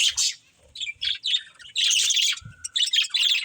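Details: Short, choppy budgerigar chirps from playing pet birds, separated by gaps at first, then a fuller burst of warbling chatter with one longer whistled note near the end.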